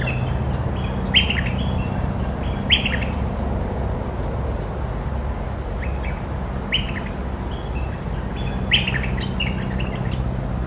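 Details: Territorial cream-vented bulbul answering decoy playback: loud, bright chattering phrases of quick up-slurred notes, delivered in separate bursts a few seconds apart against constant low background hum.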